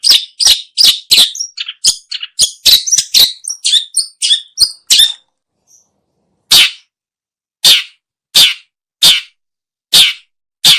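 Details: Long-tailed shrike calls used for luring birds: a rapid run of harsh, scratchy chatter notes for five seconds, then after a pause loud rasping single calls repeated about once a second.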